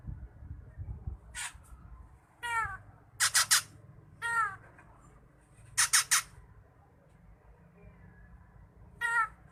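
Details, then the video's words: Drongo in full, active song recorded for training songbirds: nasal, twangy calls with layered overtones alternate with tight triplets of harsh rasping bursts, repeated at irregular intervals over a low background hum. "Burung saeran gunting / sri gunting gacor full isian cocok buat masteran"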